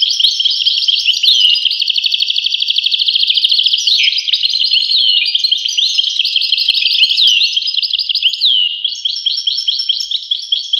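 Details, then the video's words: European goldfinch song beginning with a long, fast, evenly pulsed trill, then flowing into a rich twittering of slurred, rising and falling high notes and clipped chatter. "voice carduelis- Tweets the birds. Tones a bird Goldfinch. voice goldfinch-"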